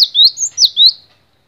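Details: Cinereous tit, known locally as gelatik batu, in a long-duration masteran song recording: two quick paired whistled notes, each a sharp downward slide into a rising sweep, then silence.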